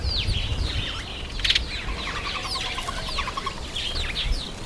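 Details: Masked weaver flock in the September–October breeding season: constant swirl of quick downslurred high chirps, with one brief flutter of wings and a clear run of about a dozen evenly spaced ticks midway.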